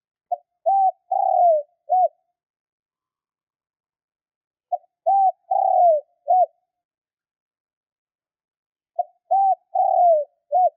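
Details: Spotted dove call for stimulating kept doves to call: three identical four-note coo phrases, each about two seconds long and spaced about four seconds apart, the third note longest and sliding downward.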